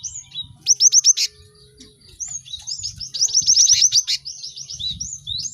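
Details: Several caged cinereous tits singing together, played to help birds learn song quickly: bursts of high, sharp, repeated whistled notes, fast rising slurs and busy chattering phrases overlapping.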